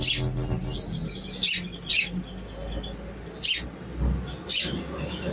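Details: Sooty-headed bulbul giving sharp cuit cuit calls, used as a lure to stir a silent, reluctant bird into singing: short high chirps in bursts, the clearest near 1.5, 2, 3.5 and 4.5 seconds, over a thin high trill and a low steady hum.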